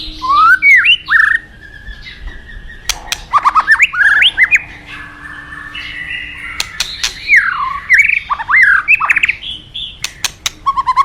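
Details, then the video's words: White-rumped shama of the forest delivering varied, rich whistled phrases, with looping, rising and falling notes broken by sharp clicks and short pauses, several phrases over about eleven seconds. "Terapi Murai Batu Hutan"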